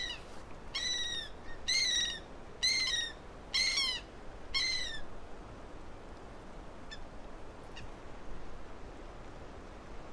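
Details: Andean gull in Peru, Andes: five harsh, drawn-out nasal calls about one second apart, each slightly downslurred with rich overtones, followed by several seconds of quieter background with a couple of faint short notes.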